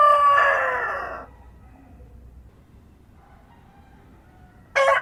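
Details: Farm rooster at dawn in a rural setting. A loud crow ends by fading out, followed by about three seconds of near silence with faint distant sounds. Just before the end, the abrupt start of a new crow begins.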